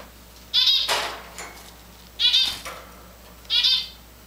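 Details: Hand-tamed Java finch, kept with grey and white Java finches, giving three short, high chirps roughly 1.5 seconds apart, each followed by a soft rustling burst; indoor setting, little else audible.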